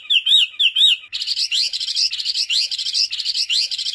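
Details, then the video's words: Wambi in full song, played to coax reluctant wambi birds to sing: a few looping whistled phrases, then a dense, continuous chatter of rapid, rising notes repeated about twice a second. "Wambi Gacor Cocok Untuk Pancingan Burung Wambi Malas Bunyi"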